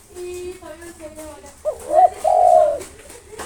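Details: Spotted dove of a local strain, singing with long breath to provoke rivals, delivers a rising stuttered note and a long steady coo, preceded by a separate steady humming harmonic tone.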